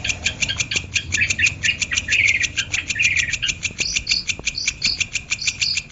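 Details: Long-tailed shrike (cendet) in a masteran recording for training birds to sing: quick regular ticking notes with harsh chattering in the middle. Short high whistled notes appear toward the end, over low background noise.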